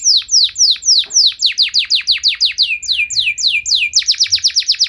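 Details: Canary in energetic, long-phrased song with luxurious variations that stirs other canaries to answer: loud, clear, downward-slurred whistles repeated about four times a second, quickening near the end.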